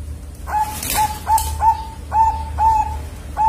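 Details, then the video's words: Captive two-month-old zebra dove chick of the Bangkok type practising its voice on a bird farm: a steady run of about seven clear, level, slightly rising cooing notes, each short and evenly spaced, over a low background hum. "PERKUTUT BANGKOK PIYIKAN 2 BULAN BELAJAR BUNYI"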